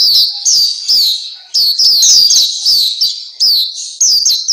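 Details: Song of the Black-capped white-eye from a recording meant to train caged birds: quick clusters of piercing, high downslurred notes, each cluster under a second long, repeated with small pauses.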